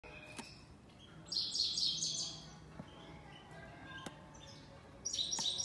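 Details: European goldfinch from Uzbekistan: two bright, high-pitched twittering bursts, each about a second long, with quiet gaps between them broken by a few sharp clicks and faint low background noise.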